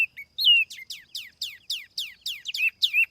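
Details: Tiểu mi laughingthrush singing as a lure bird, no background noise: one drawn-out descending whistle, then rapid, evenly spaced sharp downstrokes, several ending in short curled whistles.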